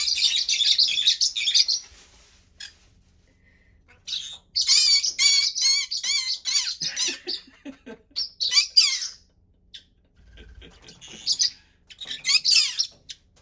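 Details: Indoor pet green-cheeked conure, hyperactive and noisy in the morning: bouts of shrill, grating screeches and wavering chatter, several calls a second, separated by quiet gaps of one to two seconds.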